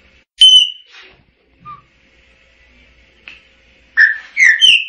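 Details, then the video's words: Chopi blackbird heard in variation of its song: a loud sharp whistle, scattered soft notes over quiet background, then a closing group of slurred, rising whistles. "Tordo Chaqueño Cantando - Chopi Blackbird Singing"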